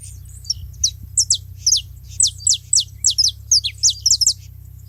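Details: Saffron finches chattering together at a feeding spot: an even, continuous sequence of bright, high-pitched downslurred chirps, around three per second, some doubled. A faint hum sits beneath.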